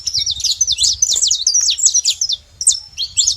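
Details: Several saffron finches give a rapid series of high, crisp chirps and slurred notes, then a short lull before a few more chirps, over a low rumble.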